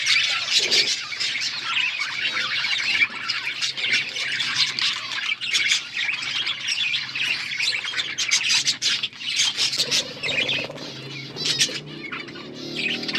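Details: Flock of budgerigars keeps up lively chirping throughout: rapid, overlapping scratchy warbles and sharp tweets, with louder squawks scattered across the stretch.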